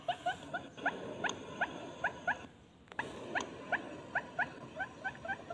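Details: Barred Buttonquail calling as a lure for males and females: spaced, short, rising notes in two bursts separated by a brief quiet gap, with soft background hiss.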